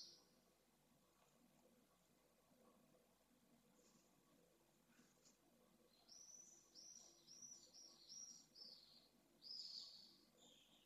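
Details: Pallid swift at a nest with eggs in Jerez de la Frontera, Spain, May 2022, incubating and disturbed by intruder swifts: after a quiet start, shrill, buzzy screams in short bursts, repeated over the last five seconds, faint hiss.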